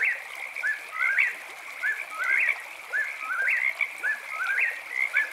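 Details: Night song of an eastern whip-poor-will: whistled phrases climbing from a low slur to an accented high note, repeated about every second, set against a continuous shrill background chorus.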